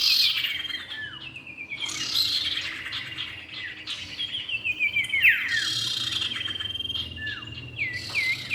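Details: Lure recording of male and female common iora: busy high-pitched whistling with descending slurs and a run of rapid repeated notes midway, ending with quick looped chirps.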